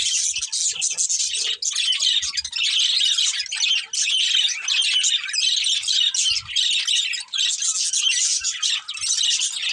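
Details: Budgerigars kept as pets warbling continuously: a dense wall of high, buzzy chirps and scratchy chatter from several birds, only briefly dipping twice before carrying on.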